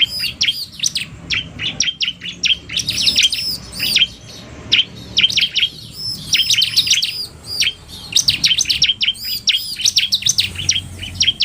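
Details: Bar-winged prinia, a male singing in the narung style combined with a fast-calling female, semi-gacor: dense bursts of sharp, high chirps and down-slurred whistled notes in clustered runs, with brief pauses between bouts and faint low hum.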